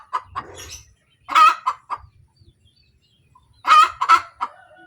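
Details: Post-laying hen cackle: soft clucks, then two loud harsh bursts about two and a half seconds apart, each trailing into short clucks.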